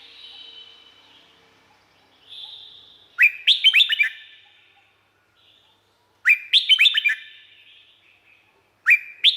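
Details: Song of a red-whiskered bulbul recorded in Thailand, three bubbly phrases spaced about three seconds apart. Each is a rapid string of five or six ringing, up-and-down whistled notes, preceded by a softer thin note.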